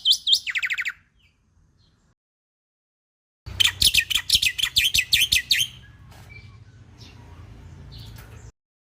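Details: Lure and training master song of the Bali myna, a western Bali forest endemic: a brief chirp run falling into buzzy notes, a pause, then a rapid string of bright, high chirps fading into a low steady hum.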